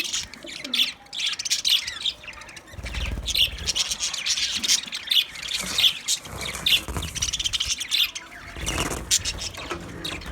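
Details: White budgerigars twitter and warble in a steady stream of high, scratchy chirps, somewhat softer, with faint low thuds in the background.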